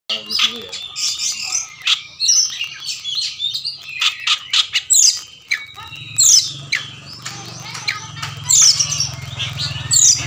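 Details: Oriental magpie-robin in energetic song, described as full-volume and showing off its repertoire, meant to push silent birds to answer, fight and fan the tail. Dense high whistles, chirps and harsh notes crowd the phrases. A low hum joins partway through.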